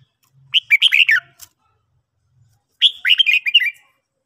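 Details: Two energetic, slurred whistled phrases from a red-whiskered bulbul in training during the morning, with faint low humming between them.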